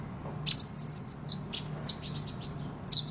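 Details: Kolibri ninja sunbird in active singing form, for competing and training other birds: short strings of piercing high chirps and quick down-slurred notes in three brief bursts, over a low background hum.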